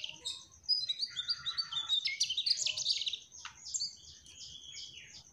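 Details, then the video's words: Mugimaki flycatcher in lively song: dense, rapid sequence of high twittering notes, some falling slurs and sharp ticks, about three notes a second, fading near the end, with a low hum in the background. "Burung Sikatan MUGIMAKI TROTOL Gacorr"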